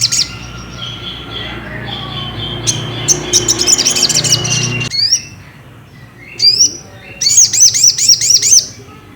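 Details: Ruby-cheeked sunbird song used to provoke another bird into singing: high, sharp chirps and rapid trilled phrases around 4–8k, with quick upward-sweeping notes, one background stretch with low rumbling noise, later a clearer trill of repeated notes.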